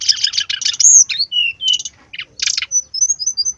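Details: Loud, busy brown-chested jungle flycatcher song for provoking birds to sing: dense scratchy buzzing bursts, a bright rising whistle, short slurred notes, more rasping bursts and a closing string of faint thin whistles.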